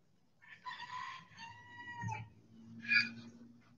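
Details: Backyard chicken in the sun gives a faint, drawn-out harmonic crow lasting under two seconds. A second rising note follows, over a low steady hum.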